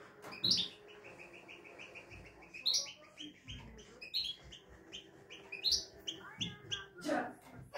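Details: A European goldfinch with a good, flawless song including "şak şak" notes sings bright, tinkling runs of evenly repeated high notes broken by sharper twittering bursts, with faint low room noise underneath.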